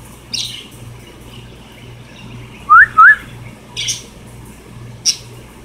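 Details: Pet cockatiels at home give two quick rising whistles, one right after the other, near the middle. Brief high scratchy rustles come before and after them, over a constant low background hum.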